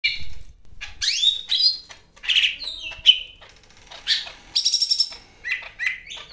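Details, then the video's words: Greater green leafbird, a Medan bird, singing energetically: a rich medley of bright whistles, sharp chirps and descending slurred notes, with brief rapid stuttered bursts between louder phrases. "BURUNG CAK IJO MEDAN GACOR NGAMUK"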